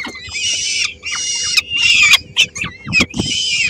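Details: Peregrine falcon family in Helmond, 13 May 2016; the female shares a small prey item with three-week-old chicks that grab it. Grating screeches come in bursts about half a second long, with quick clicks between them.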